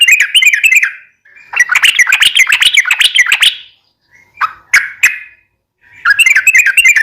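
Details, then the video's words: Yellow-vented bulbul singing a lively, drawn-out chatter used to prompt caged bulbuls to sing back; fast rippling whistled notes in dense bursts, separated by silences and a few short single notes. "SUARA trucukan gacor ROPEL PANJANG pancingan trucukan agar bunyi"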